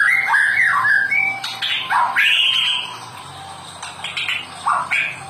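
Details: White-rumped shama song meant to encourage lazy caged birds to sing, heard as looping whistled phrases with fast slurred notes and rising sweeps, softer towards the end, over low electrical hum.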